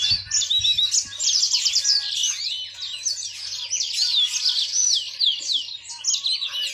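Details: Yellow-fronted canary pet songbird singing a lively stream of high whistled sweeps and fast trilled chirps, nearly continuous, with a few low thumps at the start and a soft steady hum.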